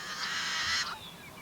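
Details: A Yellow-headed Blackbird at a wetland in May gives its song: a harsh, buzzy, scraping rasp lasting almost a second, followed by a few thin, high whistled notes.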